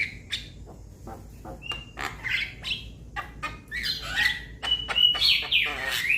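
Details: Young Javan myna calling its companions, giving scattered sharp clicks and short whistles, then a run of harsh, buzzy, squeaky notes that grow louder toward the end.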